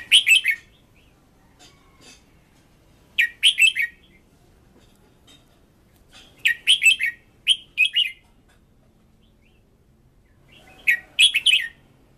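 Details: A red-whiskered bulbul kept as a decoy, singing keenly for voice training, repeats short chirpy phrases of three to five bright notes at irregular gaps of two to four seconds.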